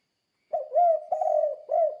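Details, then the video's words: Spotted dove coo of the "kuk 2" type, played to prompt other doves to sing: a short note, a rising-falling coo and a long wavering note, ending with a rounded coo, clean background. "Suara Burung Tekukur Kuk 2 Gacor Untuk Melatih Tekukur Lain Biar Ikut Gacor"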